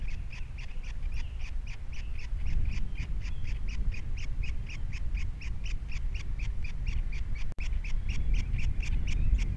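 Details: At a Captiva osprey nest holding three chicks, February 2022, with the female away. Rhythmic piercing chirps follow one another several times a second without pause, with heavy low wind noise beneath.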